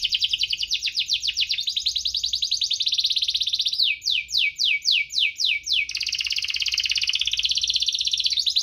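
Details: Active canary song, with chirps and rolls, offered to coax slow-singing canaries: continuous rapid trills, a middle section of separate rising sweeps, then more fast rolling notes.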